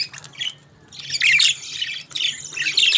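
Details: Budgerigars enjoying favourite food give continuous rasping, squawky warbled chatter, broad scratchy notes running almost without break after the first second.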